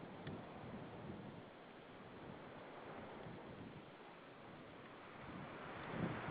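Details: Outdoor wind and water-like rushing noise that swells slightly near the end, with no animal calls.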